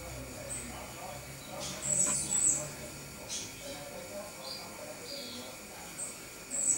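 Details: Great tit (Parus major) recorded 29 October 2012: thin, very high squeaky notes in short bursts, with a soft double burst near the middle and a few fainter high chirps. A steady hum and low background murmur continue throughout.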